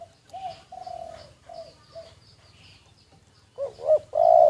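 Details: Spotted dove kept as a decoy bird and recorded secretly. Soft, low coos start faintly, then a louder phrase near the end: two quick rising hoots and a long, steady hollow coo over low background hum.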